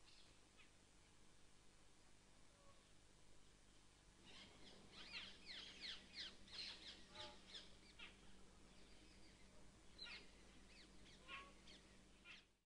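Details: A spurfowl at Sariska National Park in the Aravali Hills, Rajasthan, India, gives harsh, scratchy cackling notes in rapid bursts after a quiet opening few seconds, with a steady low hum underneath.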